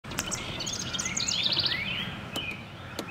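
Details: A wren singing on 5-3-24 gives a fast, high burst of sharp chips and rippling trills that rise and fall, over a steady outdoor hiss with a few clicks.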